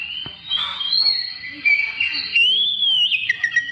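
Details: Song of an Oriental magpie-robin played to provoke other birds into singing: continuous whistled melody with wavering, sliding notes, a brief click at the start, phrases ending in short twitters.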